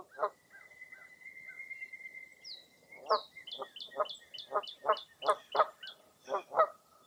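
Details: Early April fog at Mirror Lake State Park, Baraboo, Wisconsin: a long steady whistled note, then a rhythmic run of loud low honk-like calls mixed with rapid high chirps from another bird.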